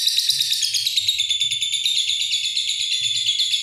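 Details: Lovebird giving a long continuous chattering trill, dense rapid high notes sustained without pause throughout, with a faint low rumble underneath.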